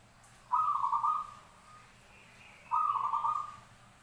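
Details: Two purring Zebra dove coos about two seconds apart, each a rolling, slightly warbled note held near one pitch for about three quarters of a second before fading, with low hum beneath.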